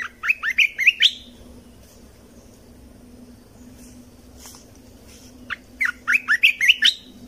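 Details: Red-whiskered bulbul song for cage-bird training, played to teach young birds and excite birds: a quick run of bright, slurred chirping notes, a pause of about four seconds, then another lively burst of rising whistled notes; a faint steady hum underneath.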